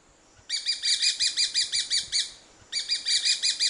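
Grey-breasted parakeet giving rapid runs of harsh, grating screeches, about five per second, then a brief pause and another burst; faint background hiss.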